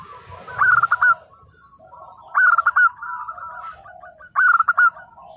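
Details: Local zebra dove, a lively singer, giving 'nembak' song to prompt quiet doves to respond: three loud harmonic bursts roughly two seconds apart, each trailing into softer repeated coo notes.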